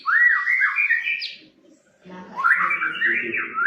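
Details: White-rumped shama lure song from a caged bird: a fast run of fluty whistled notes climbing to a sharp high flick, silence, then another tumbling whistled phrase with a faint low hum.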